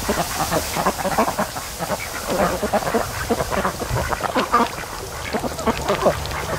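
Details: Flock of raised ducks at day 92, lounging at a lake by the mouth of a creek on a lazy afternoon, giving a steady stream of short, rough quacks overlapping one another.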